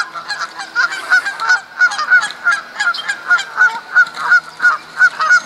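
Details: Spring mating-season Canada geese at Duke Farms, New Jersey, April 2015, battling over females; loud, evenly paced honks about three per second, clear and close with overlapping calls.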